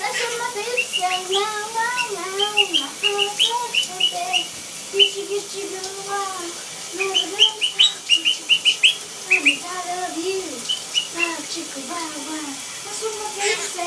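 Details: Blue monk parakeet kept as a pet, whistling the Gitchi Gitchi Goo tune from Phineas and Ferb. Long wavering melodic phrases mix with runs of sharp, rapid chirps near the middle and occasional clicks.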